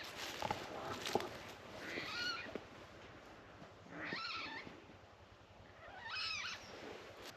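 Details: Water Rail unseen, hidden in dense reeds in wet woodland at Shapwick Heath, Avalon Marshes, Somerset, in winter, gives three loud pig-like squeals, each slurred and falling, about two seconds apart, with soft clicks and knocks early on.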